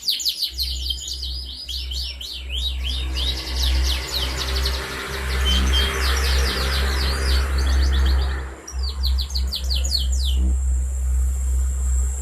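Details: Young four-month-old canary, recorded 11 August 2021 to encourage other canaries to sing, gives fast high trills and chattering rolls, partly drowned by a loud low rumble and hum.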